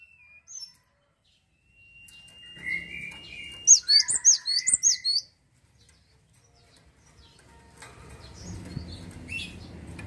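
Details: Cinereous tit in lively song, giving a burst of about seven clear, high, piercing notes in quick even succession, bracketed by lower sustained whistled tones before and after, with a soft background rumble toward the end.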